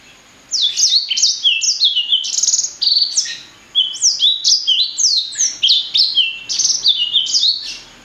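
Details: Loud clear song of a blacksang, the blackthroat and sanger hybrid: quick series of high whistled notes sweeping downward, grouped into phrases separated by brief pauses.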